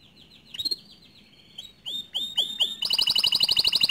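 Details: Canary song aimed at getting other canaries to sing, starting soft with a quiet trill, then rising whistled sweeps and a loud, fast, even rattling trill at the end.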